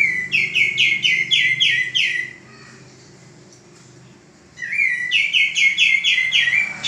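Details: Captive male common iora, sung as a model for training cage birds, gives rapid bursts of sharp, downward-slurred notes. A quiet pause of about two seconds separates two bursts.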